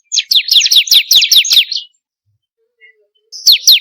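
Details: Ciblek kristal, the bar-winged prinia, singing a rapid string of about nine shrill, falling chip notes. Silence follows, then two more notes close the phrase. Used to coax caged birds to sing.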